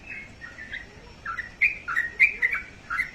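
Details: Pet sooty-headed bulbul giving short, scattered chirpy notes, quiet at first, then several sharper bright notes in an irregular pattern over a faint background hiss.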